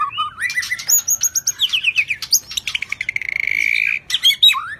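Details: White-rumped shama of the shrimp-tailed variety singing in the 'rít thuốc lào' style: loud varied whistled phrases and slurred notes, then a sustained buzzy rattling trill held for nearly a second before sharp rising and falling whistles.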